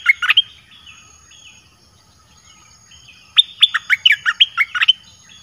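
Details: Caged red-whiskered bulbul singing a song to draw wild birds: a brief cluster of whistles, soft quieter notes, then a longer, bright run of about ten rising and falling liquid whistles.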